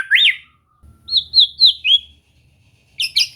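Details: White-rumped shama kept as a cage bird and trained to sing often. A loud rising whistle is followed by four quick downslurred whistled notes in a row, then a brief burst of high chattering notes.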